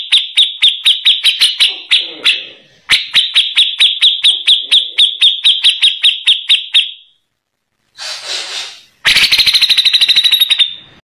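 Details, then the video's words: A Grey-cheeked Bulbul, used as a song tutor for white-rumped shamas for its harsh voice, gives sharp, high chipping notes about four per second in two long runs, then a brief harsh rasp and a fast buzzy rattle. "CUCAK JENGGOT"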